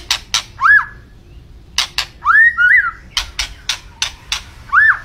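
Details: Murai batu singing: harsh broadband chatter notes separated by rich, arching whistles that rise then fall, one doubled, repeated several times over a few seconds.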